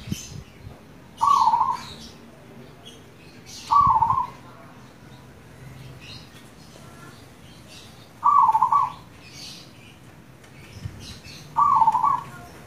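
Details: Zebra dove of a local strain, recorded as a lure to encourage other doves to sing, repeats short purring, trilled coos about every two to four seconds; soft high chirps from other birds and low background rumble.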